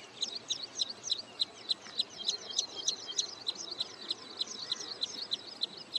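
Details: Wood sandpiper at Hoskote Lake on the outskirts of Bangalore, Karnataka, on its wintering grounds near return migration, calling with sharp high single notes about three per second, overlaid by fainter twittering from other birds.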